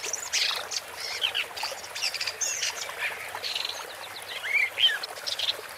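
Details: Woodchat shrike song: a dense run of scratchy, squeaky, warbling high notes, with short whistled slurs mixed in and delivered without pause.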